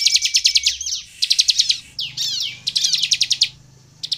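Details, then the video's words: An energetic bar-winged prinia song meant to draw other prinias into singing: dense, fast-pulsed high buzzy bursts broken by a few sweeping downslurred notes and a thin level whistle. "SUARA CIBLEK GACOR INI AMPUH MEMANCING CIBLEK LAIN LANGSUNG BUNYI DAN GACOR"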